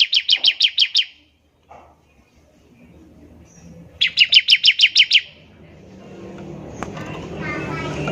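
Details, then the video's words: Bar-winged prinia (ciblek) in full voice, ngebren trilling used to prompt other prinias to sing: two bursts of about seven rapid, sharp, high chips, separated by a pause, ending in rustling and clatter. "ciblek semi gacor, NEMBAK NGEBREN untuk pancingan ciblek semi agar cepat bunyi"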